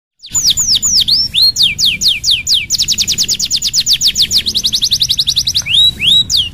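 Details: Canary song used as a lure to get reluctant canaries singing: loud, high whistled notes that sweep sharply downward, then a fast even trill of repeated notes, ending with a few rising upslurred whistles.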